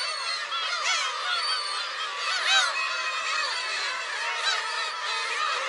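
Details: Near a shrine on Friday, 10 July 2015, black-tailed gulls keep up a busy chorus of overlapping mewing and yelping calls from many birds.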